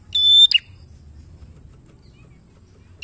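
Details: Bar-winged prinia in lively song for teaching other prinias to sing: a single steady high whistle followed by two sharp snapping notes, then quiet with low background hum.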